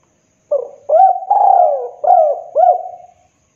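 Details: A spotted dove, played as a trapping lure, gives a single five-note cooing phrase: short rising-and-falling hoots around a longer sliding coo, then silence.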